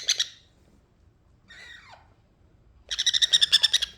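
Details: Hyper baby sun conure that does not want to play with a baby rose parrot: a short harsh burst, a quieter descending squawk, then a rapid pulsed chatter of about ten buzzy notes.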